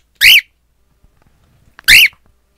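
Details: Male cockatiel, looking at himself in a mirror, gives two loud, harsh, screechy calls about a second and a half apart.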